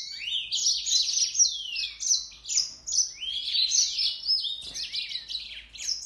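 A Yellow-fronted canary sings a fast, continuous jumble of high, bright twitters and slurred whistles, running unbroken for six seconds with little pause.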